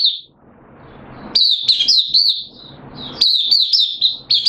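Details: Hobby-kept oriental white-eye in full song, recorded 8 September 2022. Fast, warbling strings of high chirps rise and fall in two long bursts, with a brief pause between them.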